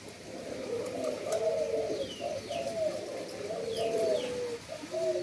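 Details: Several breeding endemic doves in Indonesia overlap their low, throaty rolling coos, with brief high downslurred chirps of other birds in the background.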